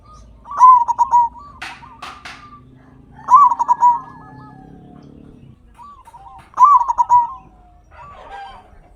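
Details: Big-voiced local zebra dove used as a lure to rouse silent captive zebra doves: three loud rolling bursts of staccato coos about three seconds apart, linked by softer drawn coos and a few short clicks.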